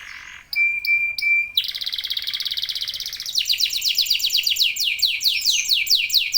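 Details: Local domestic canary in intense song, played to make other canaries sing quickly: a few clipped notes with a thin pure whistle, then a dense trill leading into rapid sweeping notes.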